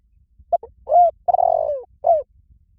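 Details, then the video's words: Spotted dove luring wild doves with its cooing. One complete phrase: a brief doubled note, a smooth coo, an extended grating descending coo, and a final gentle coo. Nothing else is heard. "Tiếng chim cu gáy gọi rùi bổi từ yếu lửa nhanh nổi nghe là gáy"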